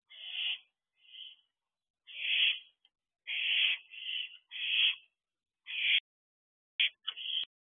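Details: Night recording from an owl nest box, 21 June 2023 at 1:44 am: several owlets trade rasping, breathy screeches of uneven length, some overlapping, with a few short clipped bursts near the end.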